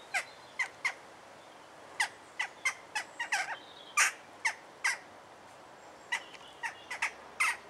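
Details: Young Western jackdaw vocalizing in Alkmaar, Holland, a rapid, uneven series of short harsh chack and kya notes, about twenty in eight seconds, some louder and some clustered in pairs.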